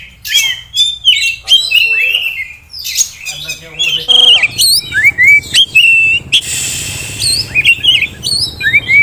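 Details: Oriental magpie-robin, a caged prospect for song contests, delivering varied whistled phrases: rising and falling slurs, sharp chirps and short scratchy notes, in bursts separated by brief gaps.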